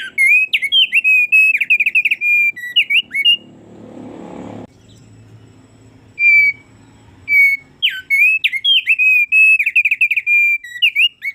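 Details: Thick-billed heleia in full, energetic song: rapid runs of warbled, wavering whistles broken by a short pause with a soft rustle, then another long twittering phrase.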